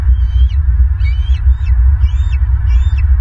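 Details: Bald eagles at a live-camera nest in Southwest Florida on 22 March 2023 at 18:29. Thin, high, chattering calls come in short bursts about every second, over a loud, constant low rumble of wind or hum.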